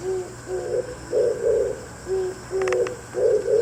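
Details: Oriental turtle dove cooing early in the morning while calling back and forth with another dove. Low, hollow coos come in paired phrases, a short note followed by a longer double note, repeated about every second, with a few faint clicks and a steady background hum.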